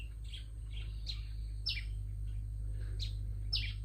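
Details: A small bird, described as having a big voice, gives quick sharp chirps that sweep downward, several per second in loose groups, over a steady low hum.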